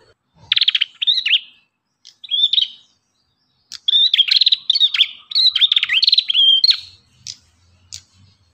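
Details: Strongly singing ashy tailorbird used for training captive birds: repeated bursts of high, buzzy trills and loud whistled notes in quick rattling series, with brief pauses between bouts.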